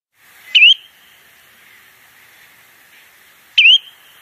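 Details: Spotted redshank (Tringa erythropus), call.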